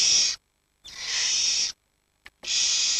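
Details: Barn owl chicks, aged 7 to 19 days, huddle together for warmth while the parents are out hunting, giving harsh, breathy hissing screeches, long rasping bursts about every second with short silent gaps.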